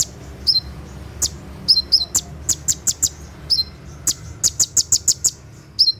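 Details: Brown-throated sunbird, night recording of its 'tembakan' song for training caged konin. Falling whistles open the clip, then a fast train of very high, sharp ticks.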